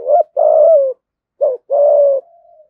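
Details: Spotted dove calling to provoke fighting and lure wild doves: two phrases, each a short low coo followed by a long, burry, level coo that sags at the end, with a faint trailing hum after the second.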